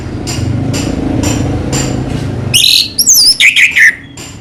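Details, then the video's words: Orange-headed thrush, a popular cage bird in Indonesia, kept as a pet. Steady rumbling and knocking noise comes first, then a loud burst of high, varied whistled phrases with sharp slurred notes. "burung anis merah selow"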